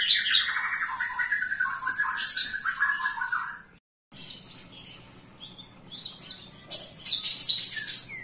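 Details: Javan bush lark in full, busy song indoors, pouring out fast, varied chirps, trills and whistles with a short break midway, then a dense run of sharp high notes.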